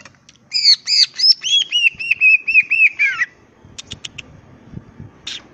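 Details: Green leafbird singing in the gacor ngentrok style: a rapid series of bright, stacked whistled notes running into a long, wavering trill that slides downward, then a pause and a few sharp, high ticks.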